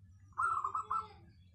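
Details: Local zebra dove, described as having a clear, dense voice suited as a lure bird, delivering one quick rolling coo phrase of about four fused notes, with a low continuous hum beneath.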